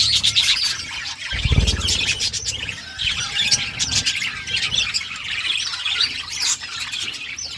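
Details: Several budgies in an outdoor aviary set in forest surroundings keep up continuous high, twittering warbles and short squeaks, with a brief low thump early on.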